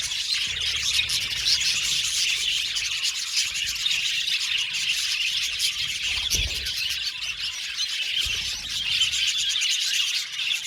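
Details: Many budgerigars in a colony chatter steadily with shrill chirps and warbles. A brief low thump is heard partway through.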